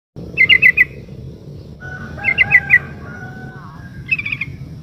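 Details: ['Female sooty-headed bulbul in breeding condition calling the male: three short bursts of quick, bright chattering notes, four to five per burst, separated by pauses, over a steady low background hum.']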